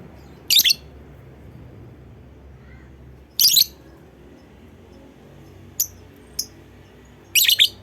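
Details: Calling lovebird, a lure meant to get other lovebirds singing: three loud, grating chirp bursts about three seconds apart, with two faint short high ticks in between.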